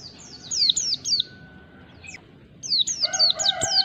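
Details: Mountain white-eye in pleci ngalas style, used as a lure. Quick high downslurred whistles, then a pause with a faint steady tone, then another rapid series alongside lower sustained tonal sounds.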